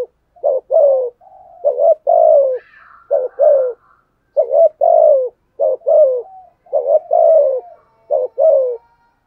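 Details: Spotted dove used as a decoy, cooing to stir up wild doves. Husky low phrases come steadily, about eight of them, each a short stutter and a drawn-out downward coo. A faint higher whistle sounds behind.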